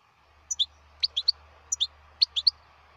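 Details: Wild European goldfinch uttering brief high tinkling notes in small clusters of two or three, repeated several times over a faint low hum.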